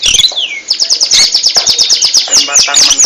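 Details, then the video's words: Oriental magpie-robin in ngentrok style, opening with a descending whistled slur, then a fast continuous run of rapidly repeated, rattling chip notes. "RAJA NGENTROK!!! Kacer super kicau"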